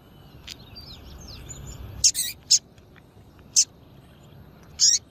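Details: Female double-collared seedeater calling to excite males kept for singing tournaments: four short, sharp, high chirps in the second half, spaced irregularly, after fainter twittering from other small birds in the background.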